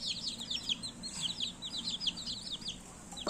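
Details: Baby chicks chirping: a steady stream of short, high, downward-sliding peeps from several chicks at once, overlapping quickly with no pause, over a faint low hum.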